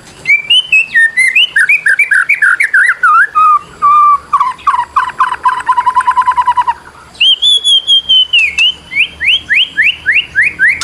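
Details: Long training song of the white-rumped shama for birds reluctant to sing: rich varied whistles, a long rapid trill of repeated notes, then a series of loud descending whistled slurs.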